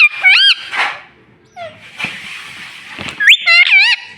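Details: Green pet ringneck parrot uttering sharp wavering squeaks at the start and end, separated by a rushing, hissy indoor noise.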